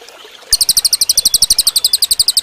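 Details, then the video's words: Cililin bird song intended for training other cage birds: an immediate, loud, high, buzzy trill of quick repeated pulses, about eight per second, running for roughly two seconds. "suara burung cililin bagus buat masteran"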